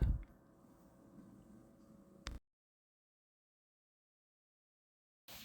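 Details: A low indoor rumble ends in a sharp door-like knock, then silence until a brief burst at the very end, with no animal calls.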